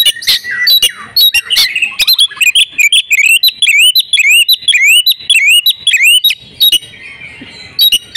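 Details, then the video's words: Female oriental magpie-robin in breeding condition, used to stimulate males to sing: repeated rising whistled upslurs about every third of a second, mixed with sharp clicking ticks and a few harsh notes. "kacer betina birahi"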